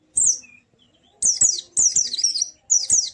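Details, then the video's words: White-eye, cage bird, sound meant to trigger singing in a silent bird: a high chirp, a pause, then several bursts of rapid, high-pitched warbling chirps. "Burung Pleci macet pasti langsung ikut ngalas dan buka paruh"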